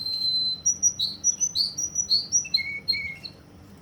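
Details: Russian canary in Kuwait singing a sustained high whistle followed by a run of bright chirped notes and lower fluty tones, delivered in quick succession.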